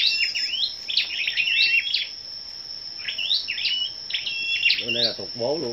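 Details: Morning competitive singing by a gathering of scarlet-backed flowerpeckers on 10 May: bright, sharp high notes in rapid clusters. Near the end, a lower, buzzy, harmonic-rich sound joins, over a constant high-pitched hum.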